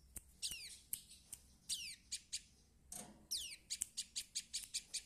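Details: Young prinia learning to sing: scattered high, thin chirps and steep downward-sweeping whistles, irregular and uneven, with a brief cluster of quick notes near the end over a quiet background.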